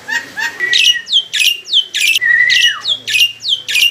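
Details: Captive black-winged myna, mature and loud-voiced, sings as a lure: rapid series of harsh squawks, each sliding down into a whistled tail, about three per second, with a long drawn descending note midway.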